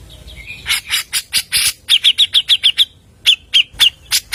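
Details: Grey-cheeked bulbul singing rapidly without pause as a lure: harsh broadband notes lead into a quick run of sharp whistled notes, a short gap, then further spaced sharp and raspy notes.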